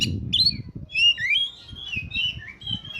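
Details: Oriental magpie-robin in full voice, used for luring birds: a flowing series of whistled slurs rising and falling, with a harsh note at the start and steady low background noise.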